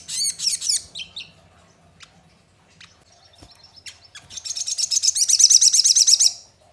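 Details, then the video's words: Crested jay lure sound used to make birds answer and sing: a brief burst of fast high chatter, a quiet pause with faint clicks, then a long accelerating rattle of evenly spaced sharp notes building in loudness. "Pancingan Sogon Agar Bunyi dan Emosi, Sogon Bahan Pasti Nyaut dan Bunyi"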